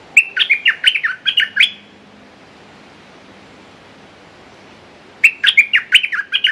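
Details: Red-whiskered bulbul decoy bird calling to lure a territorial wild bird in Thailand: two bursts of quick, bright, chirping phrases with a long silent gap between them.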